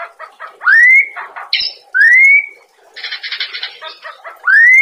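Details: Cage-bird training song of a white-rumped shama: loud rising whistled sweeps repeated about every second and a half, separated by harsh buzzy chatter and short clicks, with low hum behind.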